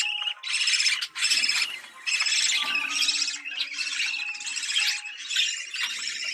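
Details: Budgerigar mating call, used to stimulate breeding: dense, buzzy warbling chatter in bursts about half a second to a second long, separated by short gaps, with a thin steady whistle tone running underneath.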